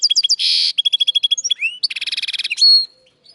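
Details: Linnet x canary hybrid in full song: rapid chipped notes, a harsh buzzy burst, steady rattling trills, another buzzy rattle, then a clear drawn-out whistle, all loud and close.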